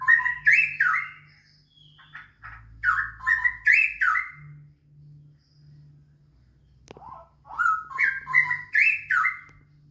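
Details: Straw-headed bulbul song played as a lure to get other bulbuls singing fast: loud, rich, bubbling whistled phrases that climb and dip, delivered in two bursts around a quiet gap with one sharp click, over a steady low hum.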